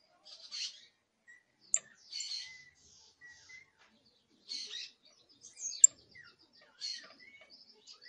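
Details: A young canary (Serinus canaria) practising its first songs in subsong gives soft, scratchy bursts of twittering and short trills, each about half a second, separated by pauses, with a few sharp clicks between phrases.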